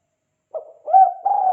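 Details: Spotted dove, kuk 2 call style used as a lure: a short hollow coo, with a brief low note followed by a longer, steadier, mellow tone.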